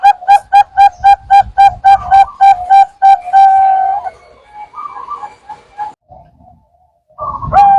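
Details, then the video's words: Zebra dove (perkutut) lure for trapping birds: a brisk run of about fourteen crisp, whistled coo notes, then one long held tone, scattered softer sounds, and a loud note with a thump at the end. "Pancingan Perkutut FULL,perkutut Bangkok,Pikat perkutut,perkutut lokal gacor"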